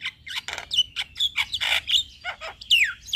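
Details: Black-winged starling singing as a lure for stressed or quiet captive birds: dense harsh chatter with wheezy rasps and sharp downslurred whistles, loud and nearly continuous.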